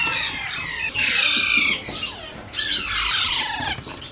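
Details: Alexandrine parakeet chick during hand feeding, giving harsh, raspy squawks in bursts with long downward-sliding strained notes, pausing briefly between outbursts.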